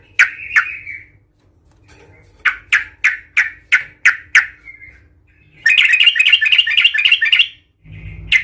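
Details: Agitated yellow-vented bulbul song used to goad rival bulbuls: a pair of sharp notes, then a run of six clipped chirps, then a dense two-second burst of rapid bubbling chatter, over a low hum.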